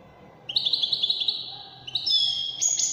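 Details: Goldfinch in Moroccan wedani style: a quick series of about ten sharp, evenly spaced high chips leads into a bright, sustained twittering trill with a thin whistled overtone.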